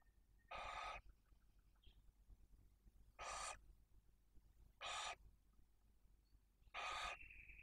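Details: Four rough, breathy hisses of a barn owl spaced one to two seconds apart, recorded at a nest in Cabañeros National Park, Spain, where the male delivers mice for the female and her two chicks, one and four days old.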